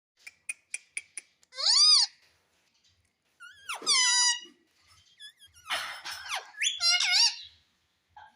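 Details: A pet rose-ringed parakeet squawks in shrill, wavering bursts mixed with sharp clicks, imitating spoken words such as "mummy" in a high, strained voice.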